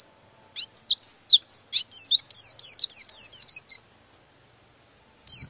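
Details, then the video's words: Oriental white-eye in its rolling song, said to rouse rival birds: a fast, tumbling string of high, thin, down-slurred whistles lasting about three seconds, then silence before a brief new phrase begins. "suara pleci buka paruh dan Ngeroll bikin emosi burung lawan"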